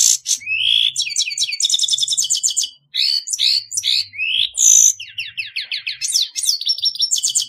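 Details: Continuous lively song of a grey-headed goldfinch: quick chattering series of rising and falling chirps, buzzy trills and sharp whistled notes, one brief pause near the middle.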